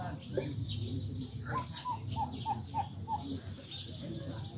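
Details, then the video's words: Turkeys in a village give a run of about six short, clear, mid-pitched notes, evenly spaced, over a steady low rumble of background noise. "turkeys in my village"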